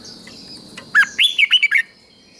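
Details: Thai red-whiskered bulbul song for rousing other bulbuls, southern master style: one brisk phrase of five or six bright, bouncing whistled notes lasting under a second, over a quiet background hum.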